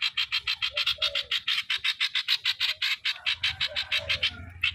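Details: A streak-eared bulbul kept as a decoy bird repeats scratchy, buzzy notes in quick succession, 'sor' style, accompanied by soft lower whistles and a low rumble toward the end.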